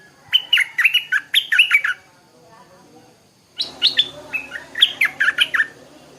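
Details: Two lively chattering phrases from a Stripe-throated bulbul in the morning, each a rapid string of about eight bubbly up-and-down notes, separated by roughly two seconds of near silence.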